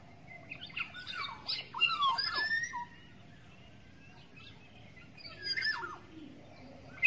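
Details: Wild black-naped oriole from the forest, a lure recording: a burst of fluty whistles and chattering notes near the start, then quiet, then a shorter whistled phrase, with a low steady hum beneath.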